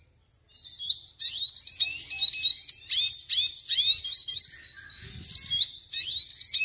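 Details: {'text': 'Red siskin singing a fast, continuous twittering song of high chirps and short warbled notes, pausing briefly near the end before resuming.'}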